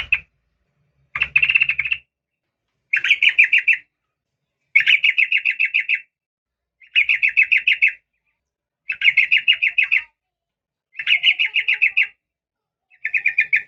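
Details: Female yellow-vented bulbul calling to a male: high buzzy stuttering rattles, each lasting about a second, repeated roughly every two seconds with short silent gaps.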